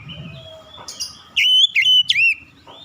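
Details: Oriental magpie-robin giving a strong run of clear, warbled whistles with quick upward and downward slurs, preceded by quieter thin notes and faint low background sound.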